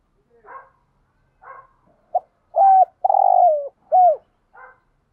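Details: Spotted dove cooing, a recording used to excite other doves: soft fuzzy lead-in notes, then a quick note and three loud low coos, the middle one long and sustained, ending with a faint note.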